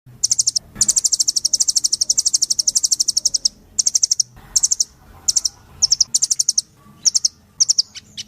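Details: Velvet-fronted nuthatch pouring out a long, dense trill of high sharp chips, then breaking into shorter bursts of quick repeated notes separated by brief pauses.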